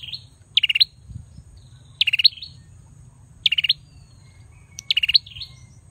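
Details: Male bar-winged prinia singing actively: four short bursts of high, rapid chirping trills, each ending in a thin upslurred note, repeated roughly every one and a half seconds over low background rumble.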